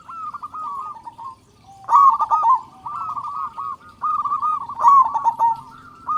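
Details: Persistent local zebra dove with a big voice, used to prompt other doves to call: a short lull, then rolling staccato coos swelling into two loud bursts about three seconds apart, with a low background murmur.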